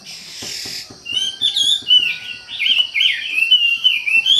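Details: Wambi bird in brisk song: after a short burst of noise, a string of twisting, whistled warbles wanders up and down in a flowing phrase, with a faint steady tone in the background.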